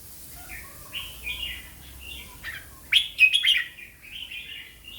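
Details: Slow, clear cha chat style song of a caged Red-whiskered bulbul kept for Thai singing contests: mellow whistled notes, then a louder burst of quick, bright, chirpy warbles near the middle, trailing into softer whistles.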